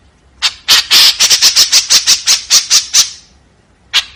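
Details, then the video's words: Rough, scratchy note series of the 'tembakan kasar' style from a white-breasted woodswallow. About a dozen quick raspy calls in a steady burst, then silence and one lone harsh note. "SUARA BURUNG KEKEPBABI TEMBAKAN KASAR"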